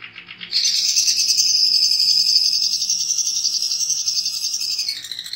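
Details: Master song of a long-tailed shrike filled with copied calls of sparrow, canary, lovebird, kapas tembak and cililin; after a short quiet start, a dense, rapid high-pitched rattling trill runs steadily for over four seconds before sliding down and ending.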